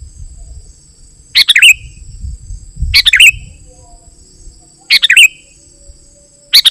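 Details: Sooty-headed bulbul song used as a lure for wild birds and for tutoring: four brief, liquid, bubbling bursts roughly every one and a half seconds, over low rumble and a thin high whine.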